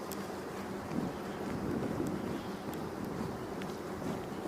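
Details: Outdoor wind and low rumbling noise during a tour, with faint scattered ticks and no clear animal voice.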